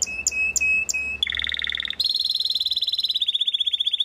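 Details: Belgian Waterslager canary (canário belga galador) singing: high clear whistled notes, then steady tone bursts and a fast rolling trill of rapidly repeated pulses, all strong and continuous.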